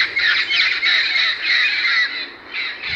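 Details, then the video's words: A macaw gives loud, harsh, grating squawks in near-continuous bursts, dropping off briefly before resuming; no other sounds stand out. "Macaw sound effects"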